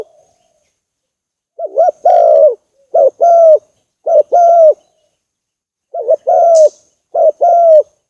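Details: Spotted dove coos used as a lure for bird trapping: after a quiet start, five evenly paced phrases, each a brief wavering note followed by a fuller, steady, slightly falling coo, close to one per second.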